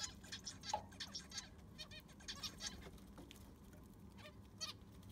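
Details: Zebra finches in an aviary during cleaning and fresh sand replacement, giving short nasal stacked calls repeated every few tenths of a second, several birds overlapping, with a low steady hum underneath.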